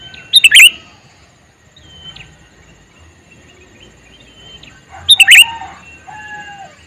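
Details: Male sooty-headed bulbul calling: a bubbly three-note phrase, then about four seconds of near quiet with faint bird whistles, then the phrase repeated.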